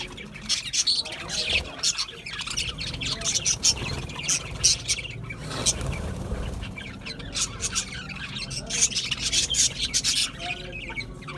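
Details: Budgerigar chatter of high twitters and squeaky chirps, with a softer, muffled stretch in the middle and some low rumbling underneath before the busy chirping returns.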